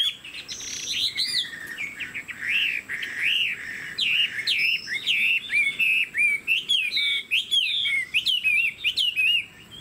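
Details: Vigorous singing by a captive Chinese hwamei: loud looping whistles and arching slurs, broken by short gaps, with sharp high accents and rapid twisting notes toward the end.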